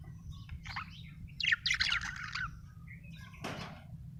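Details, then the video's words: A happy budgie chatters in a warbling run of quick, jumbled chirps and squeaky notes. The run peaks in the middle, then thins into scattered notes, with a faint low background hum. "happy budgie chirping sound"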